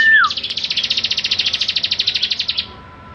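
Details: Energetic Bar-winged prinia, sung for training other songbirds, opens with a falling whistle and then rattles off a quick pulsed buzzy trill of roughly twenty-five notes.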